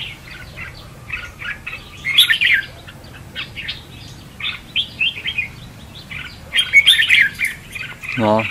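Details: Red-whiskered bulbul decoy song for trapping, contest style: choppy whistled and chirped notes in irregular clusters, two louder bursts, ending with a short descending rushing sound.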